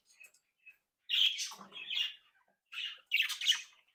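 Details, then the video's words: Pet budgerigars from a home breeding group, described as happy, active and playful, give short chirps and squawky warbles in bursts separated by brief silences, indoors. "Periquitos Australianos traviesos activos y juguetones 🧶🎡SONIDOS para periquitos solitarios"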